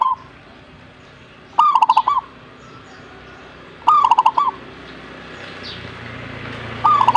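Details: Song of a zebra dove: three clipped, rolling phrases, each made of quick pulsing coos and spaced roughly two seconds apart. Faint ambient noise fills the gaps, with a soft rumble toward the end.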